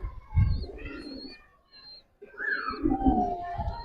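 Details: Giribaz pigeons in a collection give low, rumbling coos before and after a short pause. A clear, falling whistled bird call and dull thumps are also heard.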